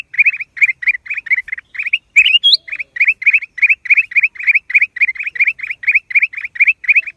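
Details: Black-crested bulbul chattering with a steady stream of short, sharp, rising chirps, roughly three to four a second, interrupted once by a higher whistled squeak; close and clear in silence.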